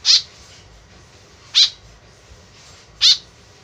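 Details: Tame white-breasted woodswallow giving its lure call: three harsh, down-slurred notes repeated roughly every one and a half seconds, with quiet between.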